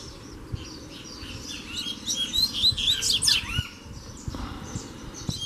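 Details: Double-collared seedeater, a free bird approaching to challenge a caged one in fighting-spirit training. A jumbled burst of high twittering and slurred whistles peaks midway, with faint clicks and knocks in the background.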